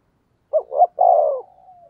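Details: Single phrase from a decoy spotted dove's 'thúc gù' cooing, meant to make wild doves coo along: a short dip, a rising note, then a long, level, slightly falling coo that trails off into a soft tail.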